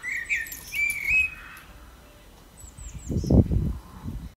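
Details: Blackbird song: a run of clear, fluty whistled phrases in the first second and a half, with thin, very high chirps above. A quiet gap follows, then a low thump and rustle near the end.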